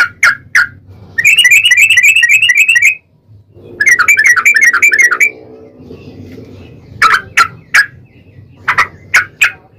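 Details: Yellow-vented bulbul in a long "ropel" song used as a lure to provoke another bird into singing. Two loud bursts of fast, ringing, bubbly notes run at about four per second, separated by scattered sharp chips and a low hum.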